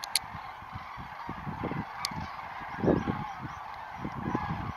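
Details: Common cranes rising from Lac du Der at first light on 19 November 2016. A dense chorus of honking, trumpeting calls from many birds, with one loud rolling call in the middle and a few brief clicks.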